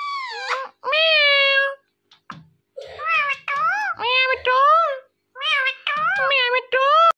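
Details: Loud, repeated meow-like imitations from a talking pet Indian ringneck parrot, each call rich and nasal with a rise-and-fall shape, in quick succession with brief gaps.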